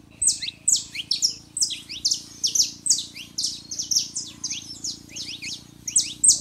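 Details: Saffron finch pair, male and female, in song meant to stir a silent canary: a bright, continuous stream of sharp high chips and quick descending slurs, several notes per second, with a faint hum underneath.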